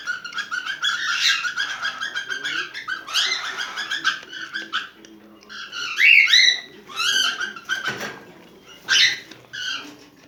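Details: Cockatiel in breeding condition giving mating calls: bursts of harmonic chattering and warbled notes, some sharp rising-falling whistles and a few harsh screechy calls, separated by short quiet gaps.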